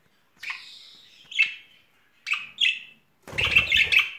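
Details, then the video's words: Pair of courting budgerigars in spring: a few isolated, slightly buzzy chirps, then a rapid warbling chatter at the end. "Blondie und Tom haben Frühlingsgefühle"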